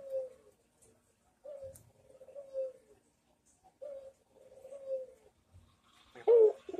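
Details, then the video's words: Melodious Barbary dove coos for training others to respond: paired soft coo phrases repeated about every two seconds, ending in a sharp, louder burst of sound. "MASTERAN PUTER MANGGUNG GACOR - Suara Merdu Bikin yang lain ikut nyaut !!"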